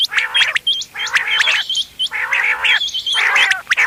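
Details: Mixed quail calls, 31 October 2025, gathered for hunting: four long rasping, harmonic-rich bursts separated by short gaps, with scattered high, clipped whistle notes between and over them.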